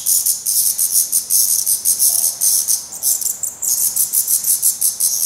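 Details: Black redstart nest in Portugal with fledglings that still carry some head down and are fed by both parents; an almost unbroken train of high, wheezy, hissing pulses, several per second, with one short dip midway.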